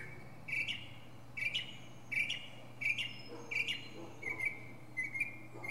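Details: From the top of a pine tree a northern mockingbird repeats one phrase again and again, a buzzy rising note roughly every seventy milliseconds apart in groups, about seven repetitions at an even pace, soft background hum.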